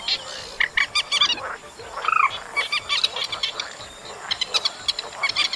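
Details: Chestnut munia song, August track, with staccato chirps in short bursts and an arched whistled note after two seconds, followed by softer, sparser clicking notes against a faint steady hiss.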